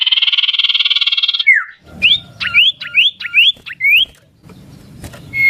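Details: Common iora song variation: a steady buzzy trill opens, then a series of about six bright upslurred whistles, each rising sharply, with faint low rumbling beneath.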